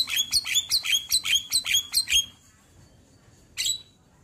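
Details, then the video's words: A white-eyed black-winged starling, a contest champion, delivers a rapid run of about ten sharp, buzzy chips in two seconds. Silence follows, then one last harsh note. "Masteran Jalak Kebo Full Isian"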